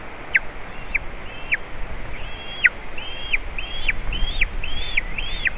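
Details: White-tailed eagle nest, Latvia, 27 June 2019, a juvenile visiting eaglets, nest camera: soft, short high whistles with abrupt falling ends, coming faster and closer together toward the end, over quiet wind.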